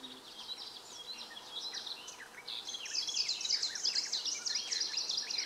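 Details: Greenish warbler song, recorded in Poland on 3 June 2016: rapid, high, jumbled chips and short slurred notes, growing busier and louder in the second half, with other small birds faintly behind.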